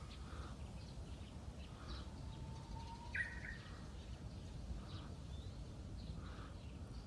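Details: Japanese bush warbler singing at a waterside park in a strong west wind: a faint, drawn-out whistle climbing slightly, then a short, sharp, warbled ending. Heavy wind noise and distant chirps from other birds.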